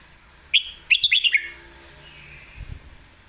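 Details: Red-whiskered bulbul phrase in the lak wai and mae bot song style: one sharp whistled note, then four quick rising whistles run together, fading into a soft trailing warble.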